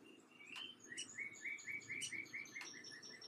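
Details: Young downy woodpecker being fed by its father, giving a fast, even run of short, high chirps, roughly three or four per second, each note clipped and slightly rising, with a few sharper ticks over it.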